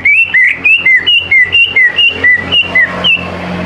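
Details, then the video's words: Greater green leafbird singing as a lure for young birds: a long, evenly paced series of about fourteen clear whistled phrases, each a short upward or downward slur, alternating high and low. "CUCAK IJO GCOR SANGAT AMPUH BUAT PANCINGAN CUCAK IJO MUDA BAHAN LANGSUNG NYAUT IKUT GACOR"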